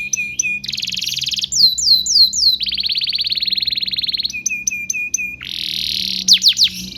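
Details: Young-canary training recording of a canary singing: clipped repeated whistles, a fast rolling trill, a series of falling slurs, another long buzzy roll, then steady chips and a closing flourish of sweeps.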